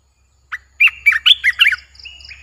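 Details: Streak-eared bulbul, a newly kept caged bird, singing: one short rising note, then a quick run of five or six bubbly warbled notes within about a second, followed by faint soft chirps, in a quiet setting.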